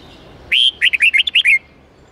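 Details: Red-whiskered bulbul singing a wild-style song of eight to ten notes, used for training young birds to learn song: one long clear whistle, then a quick run of about seven short, bright, twisting notes, all in about one second, over a quiet background.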